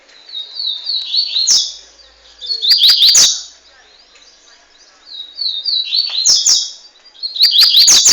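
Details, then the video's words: A double-collared seedeater, one year and three months old, from Montanha, ES, Brazil, repeats a rapid song phrase about every three seconds: high accelerating chirps that end in dense sharp notes and clicks, with brief quiet gaps between phrases. "coleiro mais rapido do brasil"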